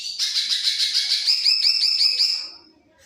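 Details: Green leafbird in a fast, high burst of filler song: a dense stream of sharp, buzzy chirps repeated rapidly for over two seconds, then fading out.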